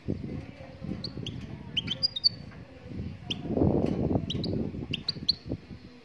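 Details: Moroccan goldfinch song: high, sharp chirps and short slurred notes in loose clusters. A louder low rumbling noise swells in the middle of the passage.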